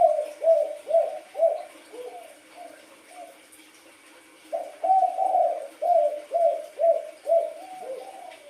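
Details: Spotted dove with wild colouring cooing rhythmically: a string of throaty notes fading away, a brief pause, then a second strong series of about eight low coos.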